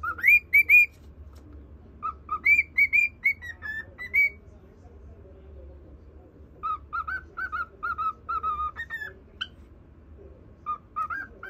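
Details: Cockatiel kept as a pet whistling a song for a budgerigar; bright tonal whistles in quick runs of short notes, some upslurred, grouped into phrases separated by brief gaps, with a faint low hum underneath.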